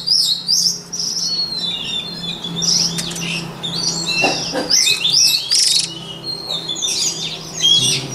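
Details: Continuous song of a white-rumped shama used to train shama voices: quick shifting whistles, slurred sweeps and trills, broken by a few sharp clicks, with a soft low drone underneath.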